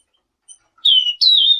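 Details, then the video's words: Brief selendang biru song fragment, a lure for answering birds: two clear high whistled notes, the second starting higher and sliding gently down. "Suara burung SELENDANG BIRU GACOR"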